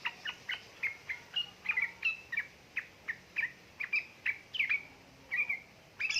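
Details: Yellow-vented bulbul, a female calling the male, used to stimulate lazy birds; a steady series of short chirps about every half second, some slurred or doubled, over soft background hiss.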